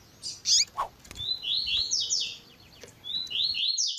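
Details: Tui tui zel zel singing of a double-collared seedeater paired with female calling: a few sharp chips and a lower descending note, then a long run of bright rising slurred notes in quick succession.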